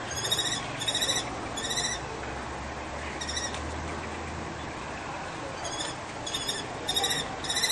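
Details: Female common kestrel at a balcony nest in Brno-Bohunice calling loudly while her mate fights another male over the nest: high, harsh, rapid kee-kee bursts in clusters about every half second, over steady wind-like rumble.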